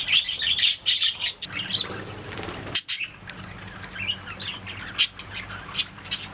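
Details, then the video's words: Several pet budgerigars chattering: a loud run of harsh squawking chirps at first, then softer warbled twitters broken by sudden sharp clicks and chirps. "Budgies singing making sounds chirping"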